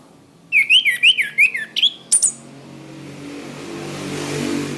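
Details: Orange-headed thrush song from a master recording used to train cage birds: a run of quick, bright whistled notes sliding up and down, ending with a sharp high note, then fading into low background hum.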